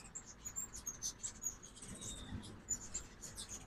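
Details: Fall-migrating ruby-throated hummingbirds at a morning feeder in Oxford, Mississippi, giving tiny piercing chips in an irregular stream, some doubled, against soft low rumble.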